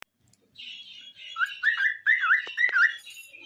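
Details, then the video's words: Pet cockatiel singing with a companion bird: a warbling run of whistled notes around mid pitch, wavering up and down in short slurred phrases, with some harsher chatter above. "Cockatiel Singing with Cute Friend"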